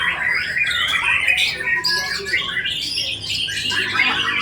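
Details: White-rumped shama pouring out a fast stream of bright whistles and scratchy chatter, notes rising and falling with little break.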